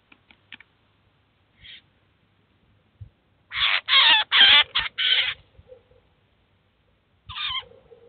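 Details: Eurasian jay bringing its chicks to a cheese feeder in Kaluga to teach and feed them; scattered quiet clicks, then a tight burst of five grating rasps midway, and one more rasp near the end.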